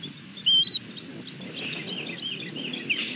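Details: Female osprey alerting at her nest in Montana with her fish after feeding on a nearby pole, 27 May 2022 late morning; one loud, sharp, high whistled note with a faint overtone, followed by soft twittering chirps in the background.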